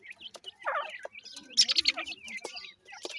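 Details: Grey francolin chicks give high slurred peeps alongside a louder burst of rapid chattering notes, with brief clicks between calls in otherwise quiet surroundings.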